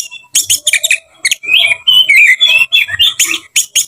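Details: Oriental magpie-robin in combative song meant to provoke kept birds: short sharp chips and clicks in quick bursts, then a stretch of warbled whistles and scratchy notes, ending again in clipped chirps.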